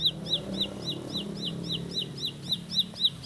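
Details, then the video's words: Short burst of a bar-winged prinia's fast roll song: clipped, high, down-curving notes at close to four per second, against a low background murmur. "Tembakan Roll Spead Ciblek Lagu Full Kolibri // Ciblek Sawah/Ciblek Pari"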